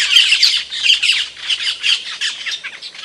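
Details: Camperling song used as masteran: a run of rasping, squawky notes in quick irregular bursts about once per second, high and harsh, fading slightly toward the end.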